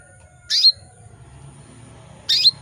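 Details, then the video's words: A breeding-condition female canary calls to attract males, giving two brief sharp chirps nearly two seconds apart; each note slurs down from a high buzzy onset into a short pure whistle, over low faint background murmur. "PANCINGAN KENARI BETINA MEMANGGIL JANTAN"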